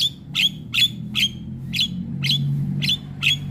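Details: Javan myna (jalak kebo), a 'gacor' masteran used to teach young mynas to sing: harsh, squawky notes ending in a short whistled tip, repeated about every 0.4 seconds over a steady low hum.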